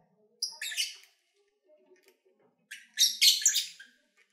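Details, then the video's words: Lovebirds recorded in February 2019 while eating and playing: a burst of buzzy high chirps, a pause with faint clicks, then a louder rapid run of harsh chattering squawks. "1 Hour Lovebird Sounds"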